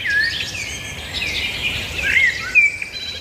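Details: Many birds singing at once, a busy tangle of high twittering and short whistled notes over a steady background hiss.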